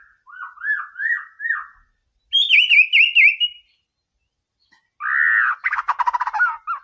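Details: White-rumped shama in training song to stir up a rival: a series of low looping whistles, then a higher trilled warble. After a pause comes a fast harsh rattle mixed with whistles.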